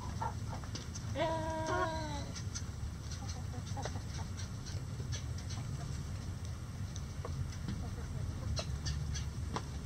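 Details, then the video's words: Backyard rooster crowing in light rain while the flock relaxes and scratches in the coop. A single harmonic crow rises, then holds level and falls off, over a steady patter of rain and scattered drips. "Rooster Crowing In The Rain"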